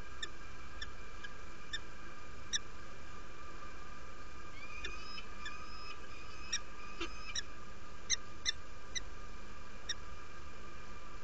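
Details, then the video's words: Derby, UK, 17 February 2017, 07:47: newly arrived female peregrine falcon inviting at the nest, giving scattered sharp chips with a brief run of thinner notes midway, over heavy low rumble. "Female arrived to the nest , invites"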